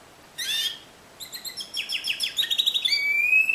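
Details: Timbrado canary singing in discontinuous style: a brief harsh note, then a run of separate clipped trills and metallic notes that ends in a long, clear, slightly rising whistle.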